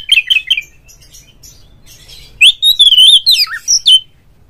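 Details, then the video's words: Oriental magpie-robin singing as a lure to rile a rival kept bird: a few quick sharp notes, a silent pause, then a loud rippling whistled phrase ending in a falling slur. "mencari LAWAN TARUNG suara pancingan burung Kacer agar CEPAT GACOR FULL buka ekor dongkrak EMOSI"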